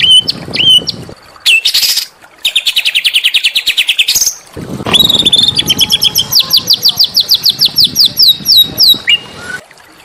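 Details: Small-bird song played to excite a caged white-rumped shama: brief whistles, a long rapid buzzy trill, then a rising series of quick high chips repeated many times per second.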